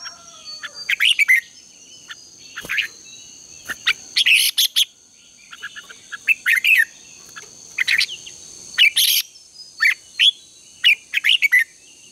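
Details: Morning contest song of a red-whiskered bulbul, used to train and stimulate birds: spaced, sharp chattering bursts every second or so, some rich and buzzy, with a persistent high-pitched steady tone behind.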